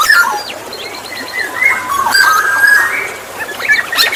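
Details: Black-naped oriole lure sounds: drawn-out whistled notes, some wavering and sliding, running through the middle of the clip while thin high chirps and buzzy calls of other birds fill the background.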